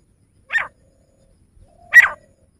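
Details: Male grey francolin calling: a pair of short, grating notes separated by roughly one and a half seconds, with clean silence around them.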